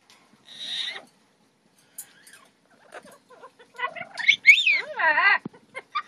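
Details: Double Yellow-headed Amazon parrots, a pair kept as pets, making a varied run of whistled, rising-and-falling calls and grating squawks. Sparse at first, then a dense burst of loud wavering harmonic notes near the end.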